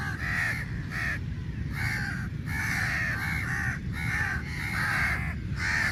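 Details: Numerous crows squabbling over meat; grating caws arrive in clusters with short gaps between, several birds calling at once, loud and nasal throughout.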